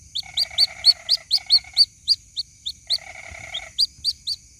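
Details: White-breasted waterhen chick calling its mother: quick, high, upward-flicking peeps about four per second, with two bursts of a lower buzzy, rattling trill, over a steady thin high whine.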